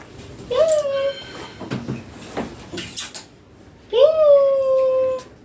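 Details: Pet green ringneck parakeet indoors uttering two drawn-out, speech-like syllables that rise then level off, about three seconds apart, with soft clatter between them.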